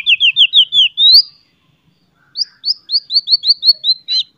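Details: Singing white-rumped shama, its loud chattering and sharp whistling meant to goad rival shamas into song: two bright trilled runs of quick repeated downslurred notes, separated by a short pause.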